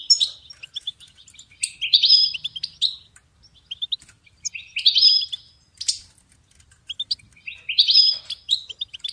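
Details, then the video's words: Repeated goldfinch song phrases for songbird training, each a lively jumble of sharp high chirps and a buzzy rattling flourish, returning roughly every three seconds with brief gaps of quiet between. "Goldfinch ringtones"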